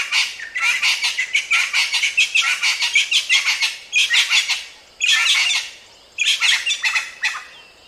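A crested francolin gives loud, harsh, rattling chatter in several bursts, each made of rapid grating notes, with brief pauses between.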